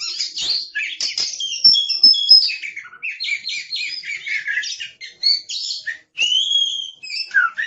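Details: Oriental magpie-robin (kacer), described as aggressive, pouring out a fast, noisy stream of chattering notes, sharp high whistles and buzzy trills, barely pausing for nearly eight seconds.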